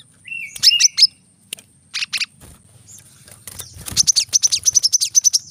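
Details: Brown-throated sunbird song, a 'tembakan rapat' training recording for cage birds: scattered high chips and a lower buzzy note early on, building into a fast, even run of sharp high notes at the end.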